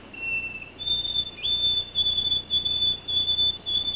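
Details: White-throated sparrow song played from a reference track: a pure, thin whistle stepping up to a higher held note, then a run of repeated high whistles, with faint background hiss.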